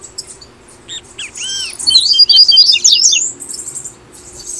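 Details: Double-collared seedeater from Brazil singing tui tui style, a recording for encouraging caged birds: a few soft arched notes, then a loud rising, buzzy twittering run, and faint high notes trailing off.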